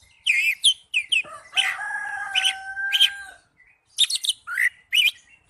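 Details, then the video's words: Oriental magpie-robin singing in the kacer ngipas manner: a few sharp chirps, then a long steady drawn-out whistle lasting nearly two seconds, followed after a pause by more quick high chirped bursts. "Suara burung kacer ngipas thes best plong"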